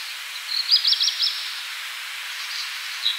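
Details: A black redstart in central Poland sings a brief burst of high, thin notes in a quick scratchy cluster, then a few faint high notes, over a steady background hiss.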